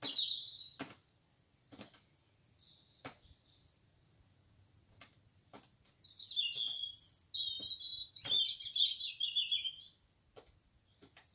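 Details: A common nightingale, probably a male seeking a mate, visiting a garden in Great Mongeham in May 2022 in evenings and some mornings, sings rich, high, varied warbles and rapid trills, broken by sharp clicks and short pauses.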